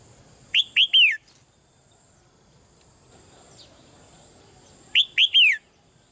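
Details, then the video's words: Soft calls of a caged female red-whiskered bulbul meant to make a male sing louder: two identical phrases of two quick whistled notes and a longer downward-sliding note, about four seconds apart, with faint background hiss. "นกหัวจุก birds - นกตัวเมียร้องเบา ๆ ในกรงเรียกนกตัวผู้ให้ร้องแรงขึ้น"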